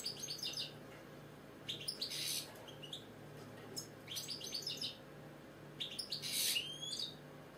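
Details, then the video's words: British goldfinch singing indoors as a pet: four bursts of sharp, high twittering and chirps, each lasting about a second, spaced by brief pauses, with a low hum behind. "the British Goldfinch singing, Chardonneret , Cardellino, Jilguero, bird song"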